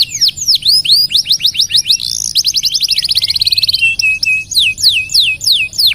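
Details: A canary sings continuously, serving as master song for training other birds: swooping whistles leading into a rapid buzzy roll, then flat tones and more sharp descending sweeps.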